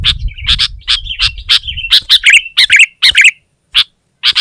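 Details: Sooty-headed bulbul pressing a rival with energetic song: rapid bright chirps and slurred warbling phrases, then scattered single chirps after a short silence; low rumble early on.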